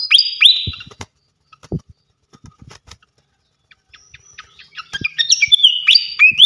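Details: Flycatcher singing in a songbird training recording: bright up-slurred whistled notes, a near-silent gap with soft ticks and thumps, then a renewed run of twittering and rising whistles.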